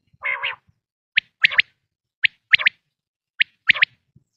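A quail gives a bright three-note phrase, one short note then a quick pair, repeated three times about a second apart after an opening double note.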